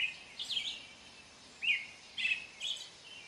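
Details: American robin singing outdoors: short whistled, warbling phrases separated by pauses, with a steady background hiss.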